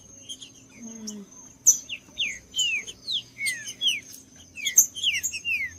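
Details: Trinca-ferro singing, played to stir up a quiet bird ahead of tournaments: short, rich, descending whistled slurs repeated in quick succession over a steady high faint tone, with a brief low note early on.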